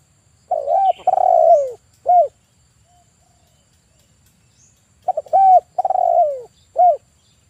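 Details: Male spotted dove, 'kuk 1' style, used as a decoy for trapping birds, gives its coo phrase twice about five seconds apart, with short notes, a long downward coo and a short tail note. The background is otherwise quiet.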